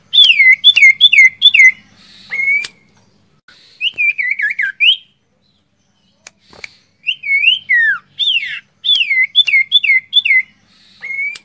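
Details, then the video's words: Whistling of a male sirtu, used to lure birds: bright, sharply bending whistles in rapid repeated series, some wavering downward glides, broken by short silences, over a faint low hum. "Full siulan sirtu jantan untuk pancingan | siulan sirtu jantan"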